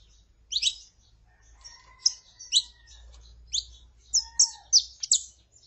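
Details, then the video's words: Saffron finch, a calling female and a singing male: rapid jumbled high chirps and twittering bursts, with faint thin drawn-out tones underneath and a low background hum. "CANTO DE FÊMEA PARA ESQUENTAR CANÁRIO DA TERRA (FÊMEA CHAMANDO E MACHO CANTANDO)"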